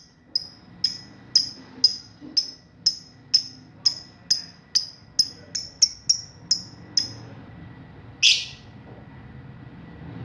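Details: Young lovebird learning to ngekek, used as a lure to get other lovebirds to answer: a steady run of short, piercing high chirps about twice a second, stopping before one louder harsh note, over faint low background hum.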